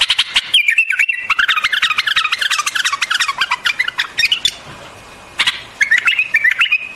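White-eared bulbul giving a lively run of quick, bubbling chirps, rising and falling in mid-high pitch, then a pause before a few more brisk notes.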